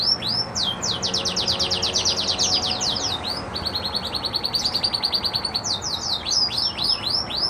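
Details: A Red Agate canary sings happily: fast rolling trills of high downward-sweeping notes, changing to a lower, steadier trill midway, then back to rapid sweeps, over a faint background hiss.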